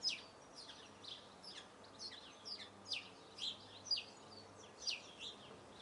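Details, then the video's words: Eurasian blue tit singing: a run of high, thin, sharply downslurred notes, loosely repeated about once a second, over a faint low steady hum. "Marvelous song of Blue tit"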